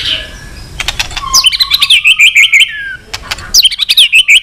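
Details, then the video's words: White-rumped shama singing to provoke a fight, with sharp click-like snaps between phrases. Bursts of quick, bright, warbled whistles are interrupted by a pause, then a second rapid run of high notes. "chòe lửa hót giọng dài kích lửa"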